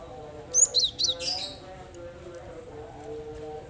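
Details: Cinereous tit (gelatik batu) calling to encourage other birds to sing: four or five sharp, high, slightly buzzy chirps in quick succession, followed by quiet low-pitched background hum.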